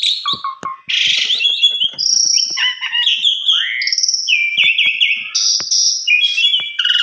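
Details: Javan pied starling lure song with varied fills: a harsh burst, then a string of sharp whistles, downslurred notes and quick trills, with scattered clicking between phrases.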